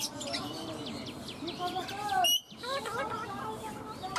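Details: Talking pet ringneck parakeet repeating words like "mummy" and "mitthu" in quick, speech-like wavering syllables, with one loud high squeak in the middle and steady low room noise.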